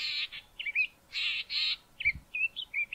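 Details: Grating harsh calls from a singing male Southern fiscal on Mountain Drive near Grahamstown, two long rasps then a run of short warbled whistles.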